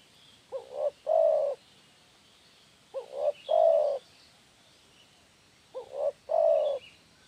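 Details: Spotted dove lure call repeated three times about every two and a half seconds, each phrase two brief rising notes then a longer, deep, even coo, against a quiet background.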